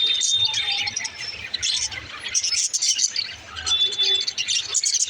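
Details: Budgerigars kept as pets keep up a busy warbling chatter, with rapid chirps, scratchy squawks and brief clear whistled notes, several voices overlapping without pause.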